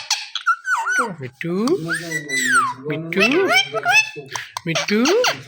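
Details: Loud natural calling from a pet Indian ringneck parakeet: sliding harmonic notes and arched whistled sweeps run together into chattering, speech-like bursts with almost no pauses.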